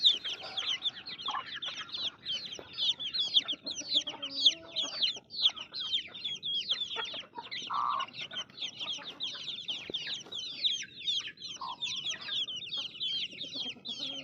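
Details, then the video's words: A long run of baby chicks chirping: constant high, rapid peeps from many birds at once, with occasional lower, louder cheeps and soft background rustling. "Baby Chicks Chirping Sounds"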